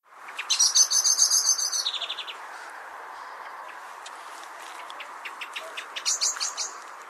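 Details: A Common Blackbird's alarm call, which warns others of its species of danger such as an approaching predator: a rapid, scolding rattle of sharp, high notes, about three or four per second, then a shorter burst over a steady background hiss.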